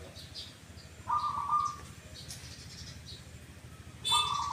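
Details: Perkutut, the zebra dove, with a two-note "kuk kuk" song: two brief purring mid-pitched coo bursts about three seconds apart, amid scattered high twittering chirps from other small birds.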